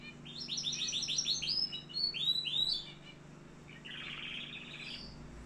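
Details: Canary in Algeria singing a quick series of high sweeping chirps and downward-slurred notes, a short pause, then a soft buzzy rolling warble and one clear whistle, with constant low hum.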